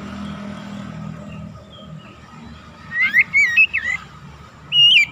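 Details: An Oriental magpie-robin sings as a stimulation recording: after several seconds of low rumbling background, a burst of sharp whistled notes with steep upsweeps follows, then one more rising whistle at the end.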